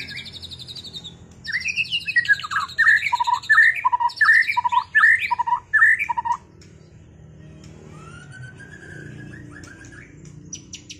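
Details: White-rumped shama just after moulting, dueling with a loud series of rich, swooping whistles repeated about every second, then dropping to a quiet, softer phrase.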